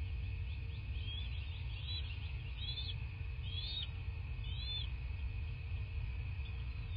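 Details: Bald eagle at its nest in southwest Florida, picked up by a nest camera on the morning of 14 March 2024: thin, high chittering notes in a loose series, fairly faint against a steady low rumble and a constant electrical hum.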